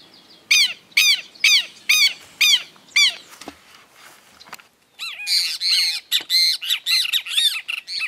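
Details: Red-crested cardinal at Esperanza, Santa Fe, Argentina, 2022, eating sunflower seeds and privet fruit: a run of loud, clipped, arched chips about every half second, a short pause, then denser overlapping chattering notes.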